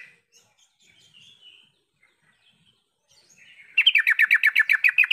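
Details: Yellow-vented bulbul call used to stimulate silent bulbuls to call back: soft scattered chirps, then a loud rapid burst of about ten bubbly, chattering mid-high notes, roughly eight a second.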